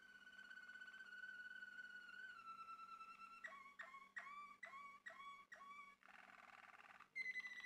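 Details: Male Malinois Waterslager canary song that opens with a deep, flute-like sustained tone. Quick, gurgling, water-like notes repeat about twice a second, then comes a burst of buzzy bubbling and a high, clear, whistled rolling ending.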